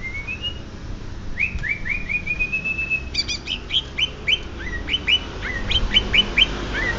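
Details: Singing greater green leafbird from Banyuwangi: rising whistles flowing into a sustained level note, then a fast rhythmic series of crisp, upswept chirps and twangy notes for several seconds.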